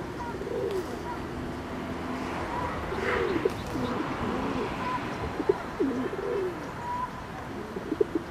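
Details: Ring-necked duck giving low, soft, downslurred hooting notes in loose series, several overlapping, with a few faint higher whistles above a constant murmuring background.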